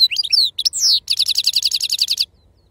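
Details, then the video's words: Authentic wild European goldfinch singing in the Serfati style, with lively twittered notes and a slurred downward sweep, then a fast, evenly repeated rattle of about twenty notes before stopping. "أفضل تغريد بندوق حسون خلوي أصيل الله يبارك لصحابو ما شاء الله لغه خلوي أصيل سرفاتي"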